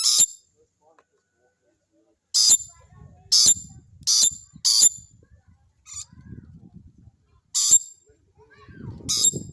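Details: Rainbow lorikeet giving short, harsh, rasping screeches in sharp separate bursts, about seven across ten seconds, some in quick pairs, over faint low rumbling background noise.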